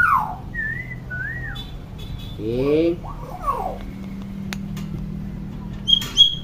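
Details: Talkative common hill myna, its calls used to teach young mynas. Makes short curling whistles, then buzzy, nasal, voice-like notes and a sharp high click near the end, with a constant low electrical hum behind.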